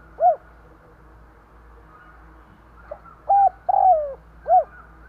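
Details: Spotted dove used as a decoy to stir wild doves, cooing low and mellow: a single arched note, then a soft pickup, a flat held coo, a long gliding descending coo and a final arched note, over a quiet low hum.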